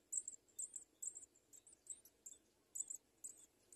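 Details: Two house sparrow chicks being fed by their parents: very high, thin squeaky cheeps in quick double and triple bursts, repeated about twice a second over a low steady hum.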